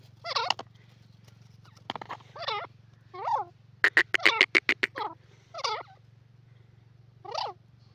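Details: Grey francolin (teetar) calls: a series of harsh, quavering notes, broken midway by a fast burst of sharp clicks, over a steady low hum.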